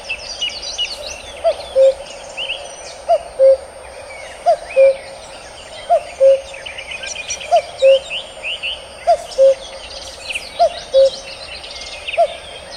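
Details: Steady series of eight two-note calls from a male common cuckoo, each a brief higher note falling to a lower held one, spaced roughly every 1.5 seconds, while other small birds twitter and trill at high pitch.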